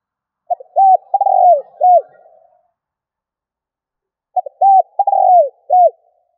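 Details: Spotted dove calling to attract others: two identical phrases about four seconds apart, each of clipped opening notes, a rolling coo dropping in pitch and a closing bowed coo, otherwise silent.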